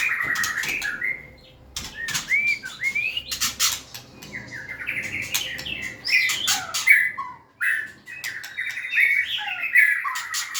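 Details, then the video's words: White-rumped shama singing whistled and chattering phrases among loud clicking and knocking noises, with pauses between bursts. "Big Sound Birds Singing Chirping, Dancing And Beautiful Tails Wagging - Birds White-rumped shama"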